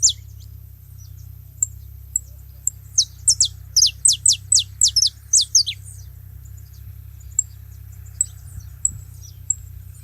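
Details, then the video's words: Saffron finch at a feeding spot: a few isolated high chips, then a rapid burst of about a dozen loud, steeply falling whistled notes, followed by scattered soft chips and a low hum. "Canário da terra junto fazendo barulho na seva"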